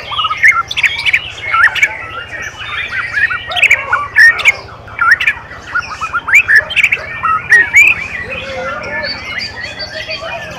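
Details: Competing white-rumped shama at a training singing contest, 7 December 2017, winning best of best; varied bright whistles and short chirped notes come in bursts, with many other caged birds singing behind and a constant low electrical hum.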